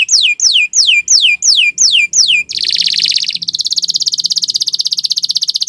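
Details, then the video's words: Canary, long song meant for tutoring other birds: seven loud descending swept whistles, then a buzzy high rattle flowing into a very fast, even trill. "Kicau Burung Kenari 174 II LUAR BIASA GACOR PANJANG Cocok untuk Masteran"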